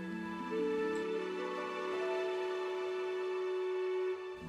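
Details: Soft, slow instrumental music with long sustained tones plays, and no animal sounds are heard.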